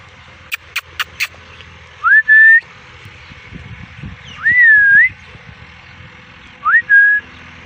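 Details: Parrot giving clear whistled notes, each rising then levelling off, three phrases over several seconds, with a few sharp clicks and a steady low hum in the background.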